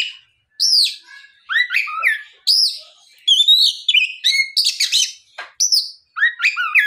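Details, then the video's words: Oriental magpie-robin in full afternoon song, meant to prompt rival magpie-robins into singing back; arched whistled notes, rising and falling slurs and quick scratchy trills in a continuous flow. "SUARA PIKAT BURUNG KACER GACOR NGEPLONG SORE MEMANCING KACER LAIN SUPAYA LEKAS BUNYI NYAUT & GACOR !"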